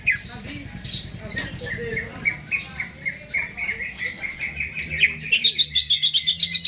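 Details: Caged greater green leafbird singing before being hung up; scattered chirps give way to a long series of repeated slurred notes that quicken into a rapid, buzzy trill at the end.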